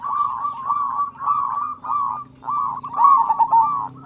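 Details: Local Indonesian zebra dove, a persistent loud-voiced singer, used as a lure to make other doves sing: rounded, mid-pitched cooing notes repeated about twice a second, with a louder rolling burst near the end and a faint low hum beneath.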